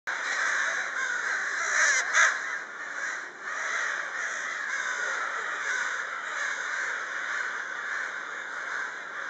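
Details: A flock of crows active in the evening hours, many harsh cawing calls overlapping into a near-continuous chorus, with a brief louder burst of caws around two seconds in.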